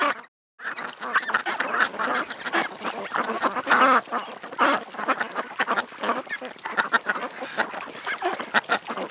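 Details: Ducks along a creek quack and honk in a dense, nonstop chorus after a brief silent break at the start.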